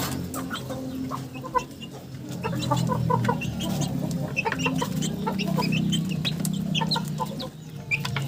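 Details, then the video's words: A flock of chickens clucks rapidly, about four notes a second, over a loud low murmur that swells through the middle and drops briefly near the end. "Funny Chicken Sounds"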